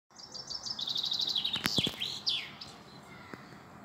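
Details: A European robin very close by sings a high, thin phrase: a quick run of sparkling trilled notes, then liquid slurred whistles, with a few sharp clicks breaking in midway.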